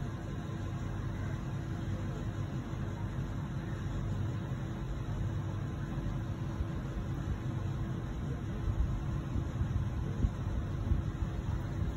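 Only a steady low rumble of vehicle or engine noise is heard, with no animal calls.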